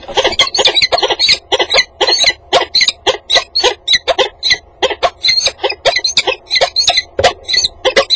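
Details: Two peregrine falcons meeting at their nest box on a water tower at 08:05 on 30 January 2015; rapid, rasping chattering notes in quick bursts, some runs faster than others, continuing for about eight seconds.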